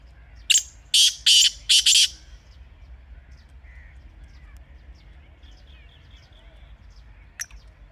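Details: Wild black francolin calling in a natural setting in Pakistan: a loud harsh phrase of one short rasp followed by three grating bursts, then several seconds of quiet background with a faint distant note.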